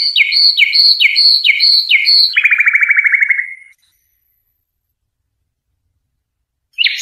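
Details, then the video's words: Goldfinch song meant for teaching young birds: bright paired notes repeated about twice a second, followed by a dry buzzy rattle. After a few seconds of silence, one more chirp begins. "صوت الحداد عالي الجودة تحفيظ الفراخ خالي من الأخطاء"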